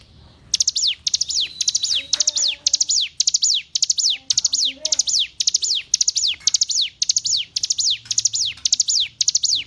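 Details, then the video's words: Hill prinia (ciblek gunung) song used for song-training other birds: high, thin bursts of quick, sharply falling notes, repeated nearly twice a second, with a few faint low sounds underneath. "Masteran Ciblek Gunung"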